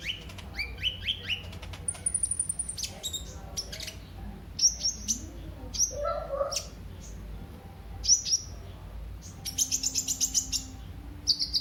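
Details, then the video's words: Kolibri ninja sunbird singing, a lure and tutor recording for cage birds: sharp high chirps, a thin sustained whistle and rapid trilled runs, mixed with lower softer notes and a faint steady hum. "Burung KOLIBRI NINJA anda LANGSUNG GACOR pancingan dan masteran KOLIBRI NINJA GACOR"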